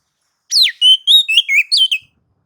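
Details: Provoking song from a white-rumped shama to get others singing: a falling opening slur followed by about six clear whistled notes at varying pitch, delivered over one and a half seconds in quiet surroundings.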